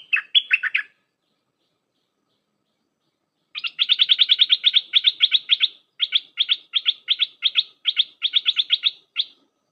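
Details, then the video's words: Red-whiskered bulbul in dense flourish song, played for training young hand-raised birds: a warbled phrase, a pause, then a long run of fast, even, chattering notes in short bursts lasting about six seconds. "เสียงนกดอกแตงEp.129เปิดหัดลูกป้อน/ลูกเสอ เพลงแน่นๆ สับดอกล้วนๆ"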